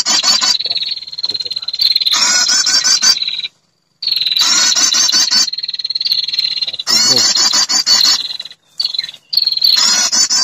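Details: Lure sound of a female prinia calling males: long stretches of steady high whistling interrupted by harsh buzzy, ticking trilled bursts, one brief silent gap.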